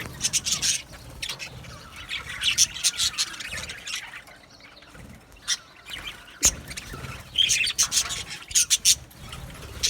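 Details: Aviary colony of Australian budgies chirping: sharp, clipped squawks and scratchy chirps in separate clusters with quieter gaps, a calmer passage near the middle.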